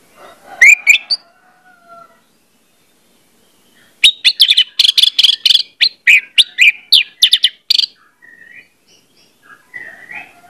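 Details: Orange-headed thrush lure song meant to get other thrushes singing quickly: a brief whistled phrase, a pause, then about four seconds of fast, loud, sharp notes and rising whistles, ending in soft warbles.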